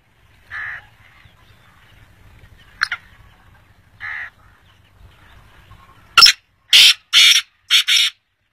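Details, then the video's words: Black francolin calling: harsh, grating notes, a few faint ones early on, then four loud buzzy bursts in quick succession near the end over a quiet background. "kala tetar ki awaz ○ black francolin"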